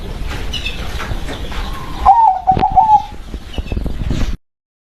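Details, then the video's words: Zebra dove of a local strain giving one short cooing phrase, a quick trilled coo followed by a level tone, over constant rushing background noise with a few clicks. "SUARA PERKUTUT LOKAL BERKODAM"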